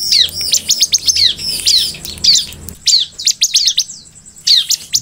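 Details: Bar-winged prinia (ciblek) in lively song meant to provoke other ciblek: quick clusters of high, sharp downward-sweeping chirps, a brief pause, then shorter bursts and a thin sustained whistle.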